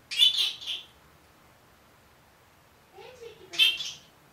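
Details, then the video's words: A one-year-old Senegal parrot kept as a pet, said to talk and greet with good morning, gives a raspy two-part utterance, a pause, then a soft low human-like murmur and another harsh burst. "Talking Parrot"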